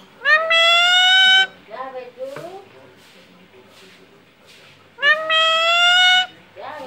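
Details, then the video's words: Alexandrine parrot talking, saying mummy: two long, loud, nasal, sustained syllables about five seconds apart, with softer chattering notes between them in a room. "Talking Alexandrine parrot saying mummy"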